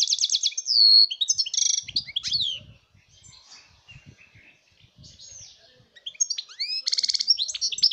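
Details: European goldfinch singing a fast, tinkling jumble of bright twitters, trills and buzzy notes, in two bursts separated by a quieter stretch of soft chirps; recorded 2019.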